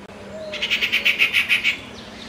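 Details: Bronzed drongo calling: a quick run of about eight bright, evenly spaced notes, each short and clipped, delivered in under two seconds over a faint low background hum.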